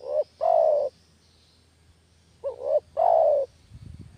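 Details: Spotted dove coo used as a master lure for catching doves: two phrases, each a short hiccuping double note followed by a long falling coo, then a low rumble of background noise.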